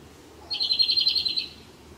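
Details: Japanese robin on its last day at a field site after a six-day stay; a single short, fast trill of about one second, fainter than the full phrases, against quiet background.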